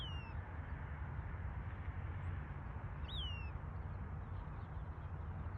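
Western Wood-Pewee giving two high, slurred, downward whistles about three seconds apart over a steady low rumble of wind or distant traffic.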